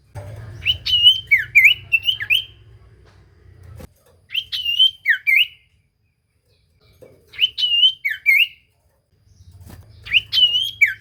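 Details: Common iora lure song for drawing replies from other ioras: four short bursts of looping whistled notes, about three seconds apart, over a faint low hum.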